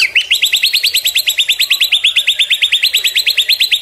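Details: White-rumped shama (murai batu) song used for tutoring and as a lure: a fast, steady series of bright chirped notes, repeated about three times a second, each sweeping up and down.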